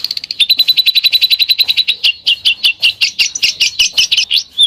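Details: Besetan-style bird song. It opens with a very fast, thin, even trill of high notes, then slows into louder, separate sharp chirps repeated about three times a second.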